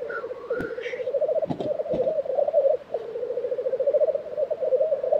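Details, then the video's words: Black grouse lek recorded in Tiveden, Sweden, April 2023: one rising hissed sneeze opens over an unbroken low bubbling chorus, with sharp clicks and knocks in the first two seconds. "Black Grouse Lek - sound recording"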